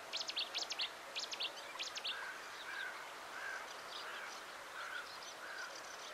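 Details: Wood sandpiper at Akrotiri Marsh, Cyprus, in April 2023: sharp, high whistled notes in quick clusters of two or three over two seconds, then fainter, lower piping notes against a steady background hiss.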